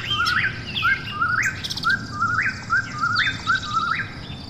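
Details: Nighttime Eastern whip-poor-will giving a brisk series of whistled phrases, two low notes leading into a sharply rising final note, about one per second, with brief higher bird notes around it.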